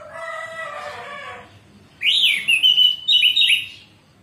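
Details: Orange-headed thrush (anis merah) morning 'ngeplong' song, played as a training and lure recording to get silent caged birds singing. A loud, high warbled phrase of rapid twisting notes follows a fainter rooster crow at the start.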